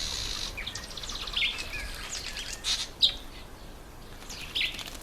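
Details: Breeding-season red bishop, the males in black and red plumage. A thin high buzz at the start gives way to scattered squeaky chirps and short wheezy notes in an uneven run.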